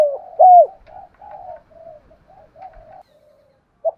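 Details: Decoy spotted dove in 'giọng thổ' voice, meant to spur wild doves into calling: one loud arched coo that dips at the end, then soft low murmured notes and a brief final coo.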